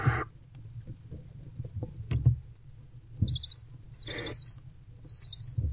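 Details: In a nest box before dawn, an adult female barn owl sits with her older owlet. A short rasp opens, then muffled thumps, then high twittering chitter bursts around a brief harsh hiss, over a low hum.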